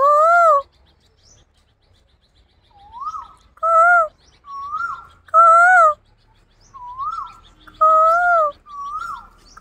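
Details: Asian koel shown becoming irritated, answering back and forth: brief rising-then-falling whistled notes alternate with fuller, level, harmonic-rich whoops, about ten notes over nearly ten seconds, long silent gaps between.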